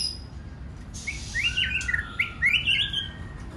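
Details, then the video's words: White-rumped shama song in a varied style meant to stimulate other birds to sing; after a quiet start, a run of clear whistled slurs and warbled notes follows, rising and dipping, over steady low hum. "Kích Chòe lửa hót nhiều giọng"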